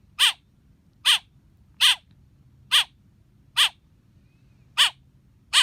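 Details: Chirping baby blackbird, a run of seven short, harsh, buzzy notes spaced slightly under a second apart, with a soft background hum.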